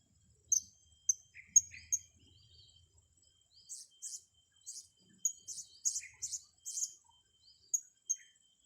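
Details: Blue-crowned hanging parrots training their young: scattered thin, high chirps, first in a sparse series, then a denser cluster of squeaky notes, with a few lower calls and faint low rumble.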